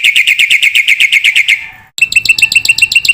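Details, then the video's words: Black-winged myna, a masteran training recording for cage birds meant to provoke young mynas into singing: a fast run of clear, bright chirps that fades out, then after a short pause a second rapid run of higher, sharper notes. "masteran jalak putih gacor full isian pancingan jitu burung jalak muda"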